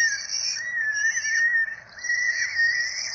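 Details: Four peregrine falcon chicks being fed by their parents at a nest in Rome, 12 April 2024, on a nest camera: thin, high, wavering whining wails, drawn out almost continuously with small rising and falling inflections.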